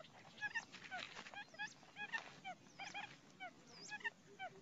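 Quail give a busy chorus of short, bright, chirping notes, rising and falling quickly, overlapping from several birds with hardly a pause.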